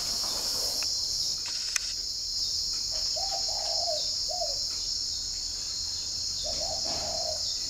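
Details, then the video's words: Spotted dove from a dove garden in Ba Vì, Hanoi, Vietnam, heard in the morning: a low three-syllable coo phrase followed by the start of another, backed by an unbroken high-pitched insect hum. "buổi sáng uống cà phê mà nghe em này gáy thi đã"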